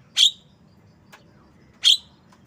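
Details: Javan myna giving two loud, harsh, explosive chip notes about one and a half seconds apart, each a short burst, with a faint click between and low background hum.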